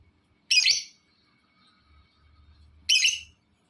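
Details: Two harsh, short screechy lovebird calls about two and a half seconds apart, from a recording meant to provoke other lovebirds to call, with faint low background hum between them.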